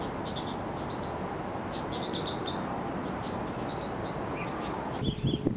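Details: Red-billed leiothrix, a wild bird listed as an invasive alien species in Japan, on Mount Kanuki in Numazu, Shizuoka Prefecture: clusters of short, high chirps repeated in quick bursts over steady broadband background noise, with a brief knock near the end.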